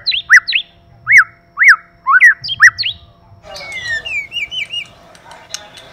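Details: White-rumped shama, male and female singing birds: steady arched whistled notes about once a second with a few higher flourishes, followed by a softer wavering run of whistles over background hiss.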